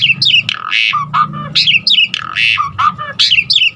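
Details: Asian pied starling singing a varied song full of fill-in notes, meant to make other starlings sing. It gives a loud, rapid run of harsh squawks, buzzy rasps and sharp rising and falling whistles over a low background hum.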